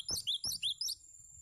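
Cinereous tit song: a quick run of five sharp, high chirped notes in about a second, bright and slightly slurred, then a short pause.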